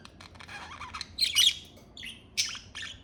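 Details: Pet budgerigar, an Australian parakeet, giving a burst of scratchy warbled chatter followed by short buzzy chirps and squeaks, with brief quiet gaps between phrases.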